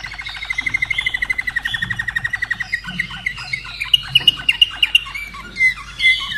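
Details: Common nightingale kept in Austria since 2011 delivers a long series of rapid, evenly spaced chipping notes, then loud, sharp whistled notes and two final louder slurred phrases, with a steady low hum beneath.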